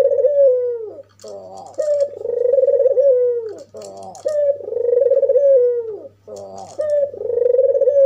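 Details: Albino African collared dove, white-feathered and red-eyed, calls to provoke other doves: alternating rough, rolling lead-ins and long, hollow, downward-sliding coos, about four in a row, with a low hum behind.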